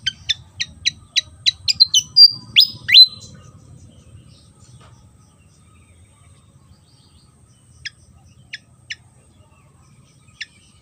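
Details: Javan fantail singing a quick series of sharp, high clicks that lead into bright, falling whistled slurs, followed by a long quiet gap broken by a few isolated ticks.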